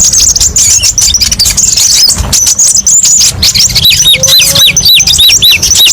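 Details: Song variations of the kolibri ninja, or brown-throated sunbird, used as masteran: high hurried twittering at first, then a run of repeated down-curving whistled notes in quick succession toward the end.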